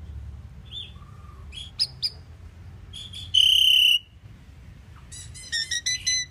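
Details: Pied myna, a starling, singing sparse notes: a low hum, short clicks, a sustained bright whistle of about half a second, then a rapid string of buzzy chirps.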